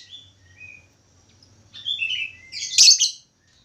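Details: Budgerigar whistling song: short, clear rising whistles that build into a dense, chattering burst ending in one harsh, high chirp.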